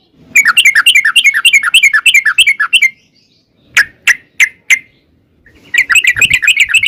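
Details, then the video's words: Sooty-headed bulbul in long 'ropel' fighting song, a lure so birds answer: a dense rapid chatter of bubbly notes, a pause, four separate loud notes, then the fast chatter returns. "trucukan gacor TARUNG ROPEL PANJANG pancingan trucukan agar bunyi jadikan burung trucuk gacor NYAUT"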